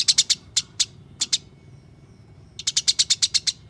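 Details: Caged house sparrows in a fight: scattered sharp high chirps, a quiet pause, then a fast even string of about ten piercing notes, low background hum.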